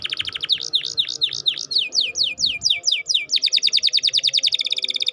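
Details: Singing canary in gacor style, used as a lure to stimulate lazy or young canaries to sing: quick series of high V-shaped whistled notes, then clearer downslurred notes, then a faster rolling trill in the last two seconds.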